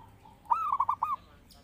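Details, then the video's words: A zebra dove sings one clear phrase, used to lure birds and as a master for training: a smooth held note breaking into four rapid, evenly spaced rolling coos over a faint low hum. "Pancingan Burung Perkutut Gacor"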